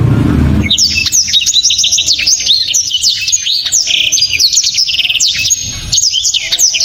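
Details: Blacktrod song, dense and powerful: after a brief low noise, a nonstop stream of high, rapid whistled notes, sharp slurs and twittering trills runs for about six seconds, ending in a further burst.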